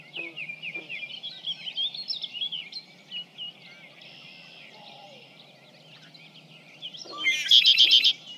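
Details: Red-winged blackbird about 50 feet away: quick high chirps and whistles, a buzzy stretch in the middle, then a loud burst near the end.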